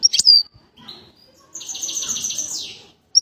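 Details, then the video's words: Bird whistling; a sharp chirp and brief whistle, then a long buzzy high rattling phrase that falls at its end, with faint low rustling. "The bird's voice is beautiful, the bird is whistling"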